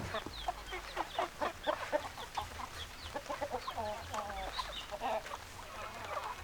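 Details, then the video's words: Hens cluck rapidly in a dense, uneven stream of short notes, several birds together, then a few longer wavering calls toward the end, over a faint low hum. "Chicken Sounds Noises Hens Clucking Roosters Crowing"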